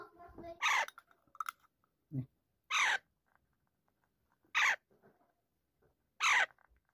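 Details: Pet talking Alexandrine parakeet in a quiet room screeching four times, each call a short, piercing, rasping burst about two seconds apart, with a few soft clicks and murmurs between.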